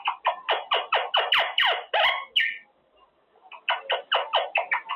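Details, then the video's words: Pet male Quaker parrot during cage time, talking and practicing; a rapid series of rough, descending notes about twice per second, a pause, then the series resumes. "Parrot practicing words - Talking Quaker parrot"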